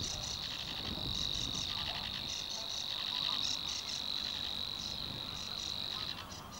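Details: Savi's warbler singing in Sweden: a steady, high, insect-like reeling trill of very fast pulses held without a break for about six seconds, then stopping abruptly, over a low background rumble.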